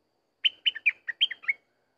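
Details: Sooty-headed bulbul singing for use as a decoy recording: one quick phrase of six short, bright chirped notes, stepping between higher and lower pitches, lasting just over a second against a silent background.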